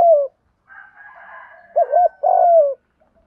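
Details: Decoy spotted dove cooing in 'gù thúc' style to lure doves: the tail of one falling coo, then a full phrase of two quick throaty notes and a long sinking croo over a faint, higher background hum.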